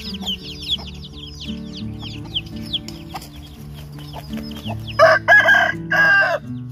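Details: Chickens at feeding time alongside roosters: a busy stream of thin, downslurred peeps, then three loud, harsh, broad calls near the end, with steady background music throughout.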